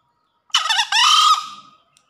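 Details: Green junglefowl in breeding condition crowing after heavy rain: a single harsh two-part crow, a rough broken opening syllable followed by a longer strained, slightly falling note lasting about a second, against an otherwise silent background.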